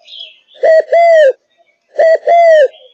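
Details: Fired-up Malaysian spotted dove, kept for its song, delivers two rich coo phrases about a second apart, each a stuttered short note then a long bowed coo, with light chirping between.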